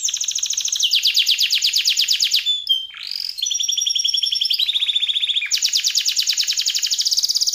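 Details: Canary in full, active song with a luxurious, long-lasting style, recorded as a tutor recording for other birds. Very high, fast rattling trills run continuously, broken by brief sliding whistles and a buzzy middle phrase, then the rapid trilling resumes.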